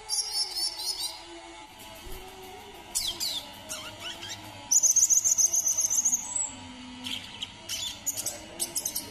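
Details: High-pitched twittering from a brown-throated sunbird, Kalimantan, with a bright fast trill in the middle and scattered thin chirps before and after, over a soft background hum.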